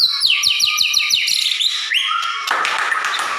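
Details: White-rumped shama song from a kept bird, used as a lure to provoke other shamas to respond aggressively and sing; a run of about seven quick, repeated falling whistles, then a rising slur and a buzzy, rasping phrase.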